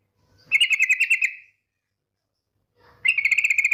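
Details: Female yellow-vented bulbul giving a trilling lure call meant to provoke other bulbuls into singing: two rapid, even, buzzy trills, each about a second long, separated by a silent pause.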